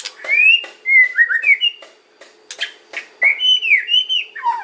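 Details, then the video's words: White-rumped shama song of the kretekan and ocean type, used as a lure for other shamas: short whistled phrases broken by crisp clicks, a pause, then a rising and falling whistle sequence. "KRETEKAN & OCEAN MURAI || MEMANCING BURUNG MURAI APAPUN LANGSUNG NYAUT"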